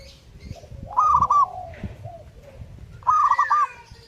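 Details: Zebra dove in full song: two bursts of quick, rolling staccato coos, each about half a second long and spaced two seconds apart. Softer, higher bird calls sound between the bursts.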